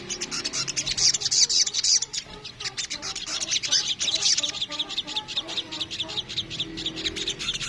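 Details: Crimson sunbird, known locally as sogok ontong, in a rapid chattering kemrecet song: dense, high twittering trills and sharp chips run almost without pause, with brighter bursts near one and four seconds and constant busy notes throughout.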